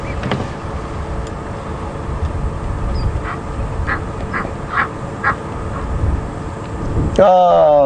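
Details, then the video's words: Egyptian geese at Djuma Game Reserve, afternoon of 11 November 2015, in strong wind, calling when agitated while returning to straying goslings: short hoarse honks about two per second over vehicle rumble, a man speaking at the end. "There's the Egyptian geese you can hear calling. And they'll call out like that when they do get agitated."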